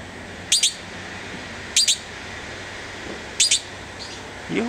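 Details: Red-billed blue magpie recorded 19 November 2009, standing close by: three evenly spaced pairs of piercing high squeaks roughly every one and a half seconds, followed by a brief low human voice at the end.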